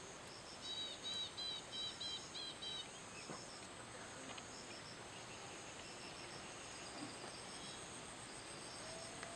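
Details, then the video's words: Brainfever bird, a common hawk-cuckoo resident in the Indian subcontinent, gives a burst of about six loud, ringing whistled notes at a fast steady pace, then stops, leaving a constant background drone of crickets. "Common Hawk Cuckoo"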